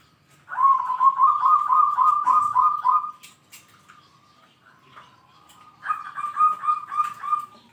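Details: Actively calling zebra dove (perkutut) with a deep 'kung' voice, said to excel at challenging rivals: a loud, pulsing, rolling coo of about three seconds, a quiet lull, then another throbbing trilled phrase.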